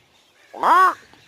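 A crow gives a single hoarse, nasal caw that rises and then falls.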